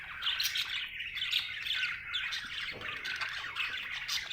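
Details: Budgerigar chirping happily, a continuous rasping warble of fast chattering notes with occasional brighter squeaks, tapering slightly toward the end.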